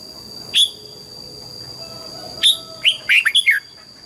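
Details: A red-whiskered bulbul gives its morning double-note song (âm kép) while being voice-trained; the old bird was taken from the wild. Isolated clear whistles lead into a rapid burst of four or five fluttering, falling notes against a constant background tone.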